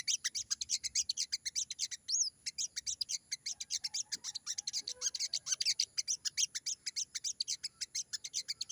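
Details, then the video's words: Crimson sunbird, singing busily in the wild 'ngalas' style, meant to make freshly caught birds reply. A dense, rapid run of very high, sharp chattering notes continues throughout, with one brief rising whistle midway. "burung sogon gacor banget!!bunyi sogon ngalas,bikin sogon bahan nyaut"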